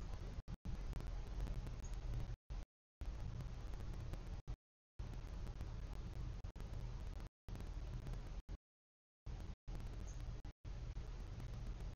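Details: Only a steady low rumbling hum with broad hiss and repeated brief dropouts to silence, with no animal calls.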